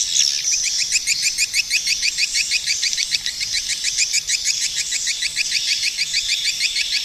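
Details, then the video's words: Swiftlet repeating a fast, regular series of thin, high chirps, roughly three each second, steady throughout the seven seconds. "suara burung walet"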